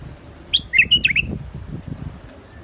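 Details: Single bright phrase from a white-eared bulbul, the Iraqi bulbul, in rooftop gardens: a fast run of five or six fluty, bouncing whistles, then near silence.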